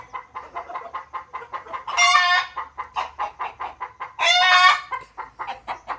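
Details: Desi rooster amid steady rapid clucking from many fowl, pulsing about four times a second, with two loud harmonic crows of roughly three-quarters of a second breaking through the chorus.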